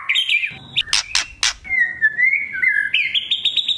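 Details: Speckled young white-rumped shama in a lure track for loud singing. Opens with whistled notes, breaks into three harsh crackling bursts, then carries a long, flowing whistled warble rising toward the end.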